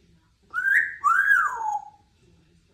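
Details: Two-year-old female Congo African grey parrot, kept as a pet at a country home, giving two sliding whistled phrases, the second rising then falling, while practicing for her birthday; faint indoor background.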